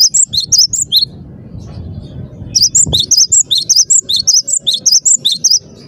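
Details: Cinereous tit in full song: quick high two-note whistled phrases, a short burst, a pause with low rumbling background, then a long steady run of repeated see-saw notes lasting nearly three seconds.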